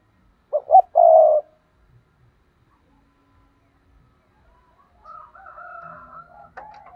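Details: Decoy spotted dove giving a 'thúc' call used to provoke wild doves for trapping: one phrase of two short stuttered low notes and a longer mellow coo, then faint drawn-out whistled tones near the end.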